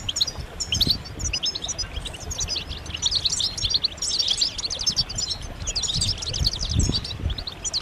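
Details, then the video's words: European goldfinches in a group chorus of mating and readiness calls that push males to sing and become excited; bright, rapid twitters and liquid trills pile up continuously, over soft low thuds. "بتبتات جماعية رهيبة للحسون فعالة في تحفيز الحسون على التغريد والهيجان"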